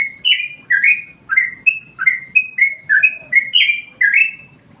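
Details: Song of a Yellow-vented Bulbul used as a master for other birds, said to agitate them: rich, warbling whistled notes in short rolling groups, rising and falling, with a thin steady tone faintly audible behind.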